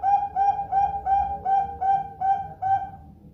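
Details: Perkutut, the zebra dove, sings a lure song. A steady string of seven soft, rounded coos, each slightly rising then falling, comes quickly one after another and then stops. Low background hum.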